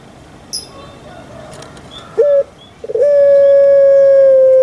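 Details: Kept puter pelung dove giving a few short muffled notes, then a single long, steady, drawn-out hollow coo held for nearly two seconds, rich in overtones, in a quiet setting.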